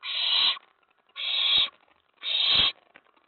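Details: Owlet in a nest box, night of 19 May 2017, stirred up by an owl arriving at the tray after a mouse was brought: three long, loud, noisy screeching hisses, each about half a second, spaced roughly a second apart.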